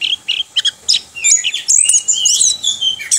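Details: Rolling 'ngerol' song of a kept orange-headed thrush: scattered sharp chirps opening into a sustained, high, twittering warble that runs almost continuously to the end.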